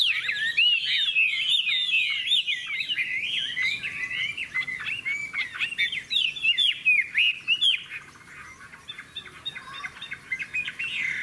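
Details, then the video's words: Hwamei singing in a contest while caged, with a large tail and wing play. Dense, fast stream of loud warbling whistles with many quick up-and-down slurs, fading to softer, scattered notes toward the end. "Họa mi hót đấu"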